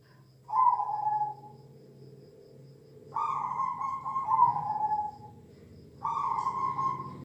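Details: Zebra dove song, among recordings of large and small zebra doves meant to train a kept bird's confidence: three long, steady cooing notes at a low-mid pitch, each lasting one to two seconds, separated by pauses, over a faint low hum.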